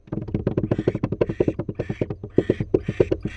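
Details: Barn owl inside a nest box, dancing on its feet, with fast repeated low pulsing notes, about eight per second, like rapid ticking or chattering, some broadband hiss above; likely a mix of foot tapping and calls.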